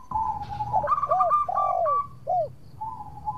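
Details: Singing local zebra dove used as a lure to provoke rivals into replying: a fast, soft rolling coo followed by several lower, rounded, arching coo notes with brief gaps between them.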